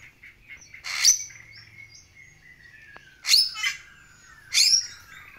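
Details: A long-crested Bali myna gives three loud, harsh, scratchy bursts about a second apart, with thin whistled notes and a long steady whistle running between them.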